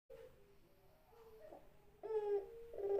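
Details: Barbary dove of the Indonesian puter pelung type cooing indoors: soft, low, tonal coos that strengthen into a fuller, ringing coo after two seconds, with a faint background hum.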